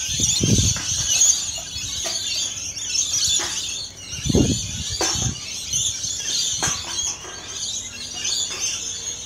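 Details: Close-up of feeding rainbow lorikeets keeping up a steady high-pitched screeching chatter, with low thumps and knocks at intervals underneath.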